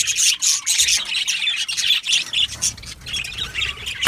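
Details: Brief burst of budgerigar colony chatter in an aviary: rapid squawky chirps and warbled notes tumbling over one another, pulsing roughly twice a second.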